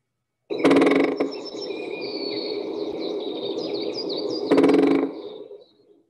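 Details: Great spotted woodpecker drumming to announce territory, not to find food: two short, rapid drum rolls, each about half a second, four seconds apart, over other birds singing high, twittering phrases.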